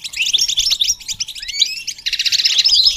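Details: Short burst of goldfinch song, a lively tinkling twitter broken by a rising slurred note, then a fast rattling trill to the end. Used in training goldfinches to sing.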